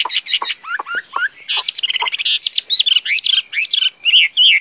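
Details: Chinese hwamei in dense, loud song with rapid, varied whistled notes, chattering bursts and sweeping slurs that follow one another with hardly a pause.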